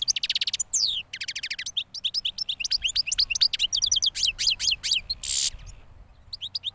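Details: Recently moulted yearling goldfinch singing a rapid jumble of sharp chirps, descending trilled runs and bright twitters, ending in a short buzzy burst before softer notes.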